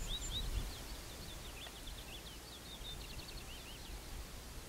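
A little bunting sings a thin, high, varied run of quick chipping and twittering notes, lasting about four seconds, over a steady low rumble of wind.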